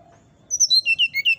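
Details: A brown-chested jungle flycatcher's nyuling song: a short run of seven or eight pure, evenly spaced whistles descending step by step, with a faint low hum behind.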